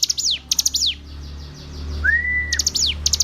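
Hill prinia song: quick bursts of three or four high, sharply falling notes, repeated, broken once by a lower drawn-out whistle, over a faint low hum.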